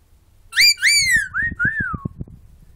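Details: Talkative pet bird indoors: after a short silence, two loud overtone-rich whistles, then two gentler slurred notes descending in pitch, with low thumping handling noise underneath.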